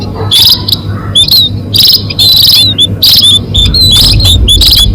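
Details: Munia lure call for bird catching: loud, bright chirp bursts in irregular clusters with thin, high whistled notes between them, over a low humming background.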